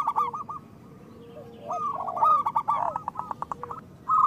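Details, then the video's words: Local zebra dove lure recording for encouraging quiet doves to sing. A short coo burst opens, then a quiet lull, then a dense run of clipped notes and sliding lower coos ending in a final short phrase. "Perkutut lokal gacor Suara Besar Pancingan Untuk Pikat dan Malas Bunyi"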